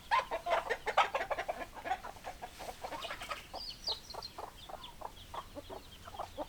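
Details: Hens clucking loudly in quick, uneven pecking bursts at about seventy a minute. Louder clucks fill the first three seconds, then softer ones follow with a brief higher squawk.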